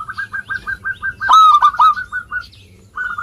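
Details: Zebra dove of local stock singing steadily: an even string of soft pulsing notes, then a loud ringing three-note phrase, then the soft pulses again.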